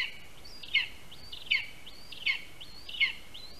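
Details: At a Latvian spruce nest on 22 August 2021, a Lesser spotted eagle gives shrill upslurred-then-falling yelps about every 0.75 seconds, four in a row, during a prey delivery of a rat, with constant background hiss.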